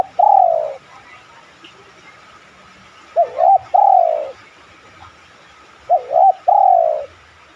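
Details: Spotted dove lure calls to set other doves cooing: deep repeated phrases about every three seconds, each a two-part warbling lead-in then a long, gently descending coo, clear over a quiet background.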